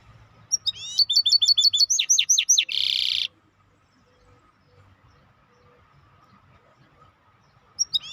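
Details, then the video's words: Maestro bird song: a quick series of bright, sharply rising high notes, then a few descending slurs and a harsh buzzy burst, followed by near silence and one brief chirp at the end. "احلى تغريد مباشر لطائر المايسترو 🐦The best direct tweet of the Maestro bird"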